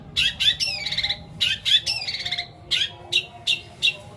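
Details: Long-tailed shrike singing a long song filled with imitations, a fill of sparrow, petir and kuntilanak sounds used to coax silent shrikes; high chattering notes and buzzy downslurred phrases come in bursts, with pauses between, over faint low hum.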